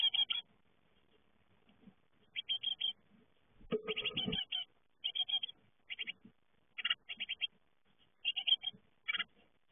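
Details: Great tit fledglings leaving the nest: bursts of rapid, harsh, buzzy chirps in quick runs of three to six notes, repeated every second or so with short pauses, and a brief low rustle midway.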